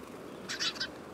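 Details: Sparrow in autumn, recorded 18 September 2013, giving a brief burst of three quick bright chirps in under half a second over a quiet background.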